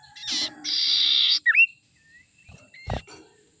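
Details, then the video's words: Lure call of a young wild Common Iora: a long, grating buzzy note, then a sharp dipping whistle, a thin drawn-out tone and a fainter scratchy note near the end, plus a brief thump. "suara sirtu muda hutan ini suara ampuh pancingan"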